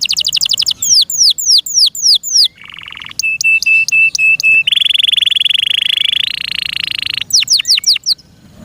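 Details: Canary kept in captivity, singing loudly: descending whistled sweeps, a low buzzy rattle, a string of even piping notes, a long sustained rolling trill, then more falling whistles.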